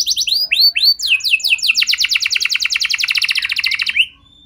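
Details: Canary lure song used to coax other canaries into song: several arching whistled notes, then an accelerating, very fast chattering trill of descending notes lasting about two seconds before fading.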